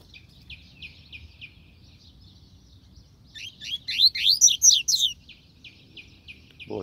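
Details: Faint rhythmic twitters from a double-collared seedeater break into a loud fast sequence of upward-swept whistled notes, then fade back to soft chirps; a brief human voice at the end.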